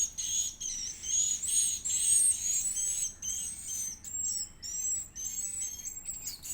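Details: Feeding-time begging of an Edible-nest swiftlet (Aerodramus fuciphagus) chick: shrill, high, wavering squeals run in close bursts, rising and falling in pitch, loudest early on.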